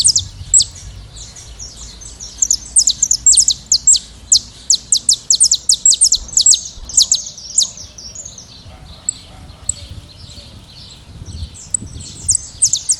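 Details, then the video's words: Saffron finches in a free flock, singing outdoors: a thick cluster of piercing high chirps through the middle, thinning into fainter, more distant-sounding chatter toward the end, with a low rumble throughout. "canário da terra livre e cantando na natureza em rebanho"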